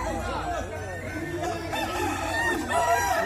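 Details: Crowing contest of Kukuak Balenggek chickens in West Sumatra. Several overlapping arched crows weave through a crowded chorus, growing slightly louder toward the close, over a low background rumble.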